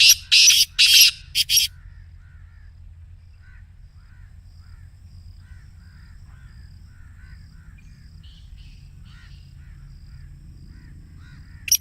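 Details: Black Francolin excited call, used to stir a caged bird: a burst of four harsh, grating notes at the start, then near silence with faint distant chirps and a final brief rasp.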